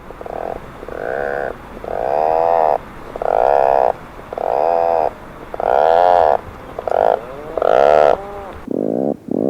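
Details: Atlantic Puffin giving deep, muffled, murmur-like groaning growls, each about a second long, repeated with short pauses, with overlapping calls from other birds; heard from burrows and crowded colony gatherings during the breeding period.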